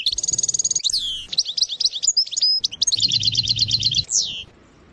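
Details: Sarsara-style goldfinch song opening with a fast even trill, then a jumble of squeaky twitters and a second long rapid trill with a sliding finish; a low background hum comes and goes.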